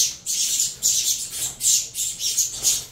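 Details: Captive-bred saffron finch chicks, a cross of Venezuelan lines, begging noisily while being fed: harsh hissing bursts repeated about every half second, rising and falling in loudness.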